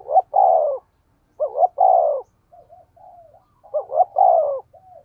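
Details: Decoy spotted dove with a deep 'thổ' voice in the 'thúc gù' cooing style: three phrases, each a quick two-part rising note then a long, slightly falling coo, with soft murmured notes between them.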